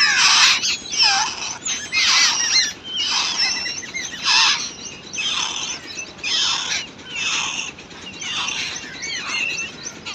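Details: Wild babbler chicks in a nest, being fed by their mother, give harsh, hissing begging squeals in rapid bursts, about two per second, with thin high whistled notes mixed in over a soft outdoor background.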